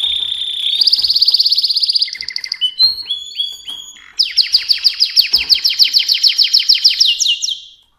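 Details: Mosaic canary song with varied tours: buzzy rolling trills, lower rapid chirp series, then a long fast run of bright repeated notes ending in a high flourish.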